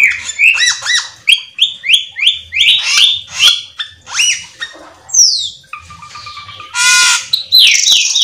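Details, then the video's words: Cucak keling singing a lure full of fill-ins, meant to get other cucak keling singing: rapid series of looping, slurred whistles about two per second, then a harsh rattle and quick falling notes. "pancingan cucak Keling gacor teler Full isian"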